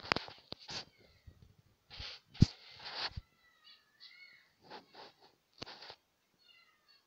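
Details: A pair of budgerigars (Melopsittacus undulatus) chatter with scratchy bursts and thin, wavering whistles in irregular short phrases.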